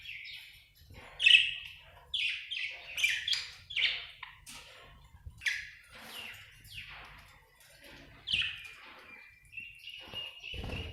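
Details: Budgerigar chirping, described as an Australian bird: a run of short, bright chirps and rising notes, some squeaky, spaced by brief pauses, ending in a sustained thin whistle.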